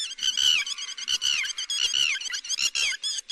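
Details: Yellow-wattled lapwing call used to draw birds into nets: continuous, agitated chatter of falling, slurred notes delivered rapidly, almost without gaps.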